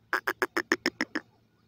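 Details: Pheasant chicks foraging in the wild, eating natural food; a quick series of eight sharp, quacking peeps about 0.15 seconds apart, then quiet.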